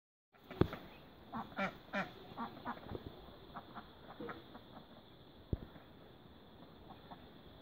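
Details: Mallard duck with newborn ducklings, feeding: a series of soft, nasal quacks repeated every half second or so, fading toward the end, over a steady high hiss and a couple of sharp knocks.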